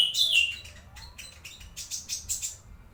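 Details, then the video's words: White-rumped shama master song used for training other birds: a bright, high whistled phrase falling at the start, then a quick series of clear chirped and warbled notes with brief pauses. "burung masteran murai batu"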